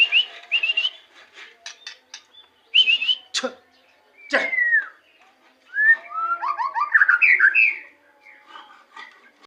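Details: White-rumped shama in Indonesia singing short rising whistled phrases, harsh clicks and a long downslurred whistle, then a rapid tumbling run of chirpy notes.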